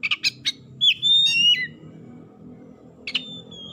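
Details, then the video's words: Oriental magpie-robin lure song to make silent magpie-robins sing: several quick harsh chirps, a long clear whistled note, then silence and a final chip with a trailing whistle, over a low murmur. "PANCINGAN KACER LELET BISU | PASTI AKAN IKUT GACOR NGEPLONG GACOR"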